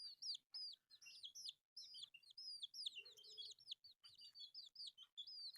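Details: Beautiful, colourful baby chicks peep while feeding on rice: a busy stream of shrill, falling cheeps from a group of young birds, nearly continuous, with a brief low murmur partway through.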